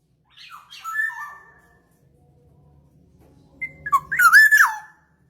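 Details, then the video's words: Black-naped oriole lure recording used to attract birds: a soft slurred whistle, then a loud harsh, nasal, wavering call with rich overtones near the end. Faint low hum in between. No other sounds. "Pikat burung kepondang emas"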